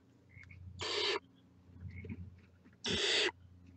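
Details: Barn owl chicks poking heads out of the nest give two strong rasping hisses, each about four tenths of a second, two seconds apart, over a low background hum.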